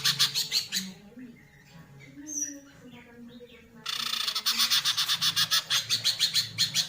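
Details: A green leafbird fanning its tail gives loud, harsh chattering notes, about two per second, after a quieter stretch with a faint low voice and scattered chirps.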